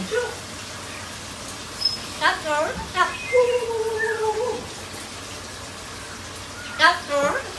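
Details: Pet yellow-crowned amazon parrot indoors, giving harsh, raspy bursts mixed with a long, level, tonal whistle, then a further harsh squawk near the end, over a steady background hiss.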